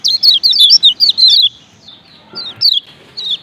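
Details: Male and female lemon-bellied white-eyes from Lombok calling 'ciak ciak' to set other birds singing: a quick string of sharp falling chirps for a second and a half, then a few scattered single notes after a pause.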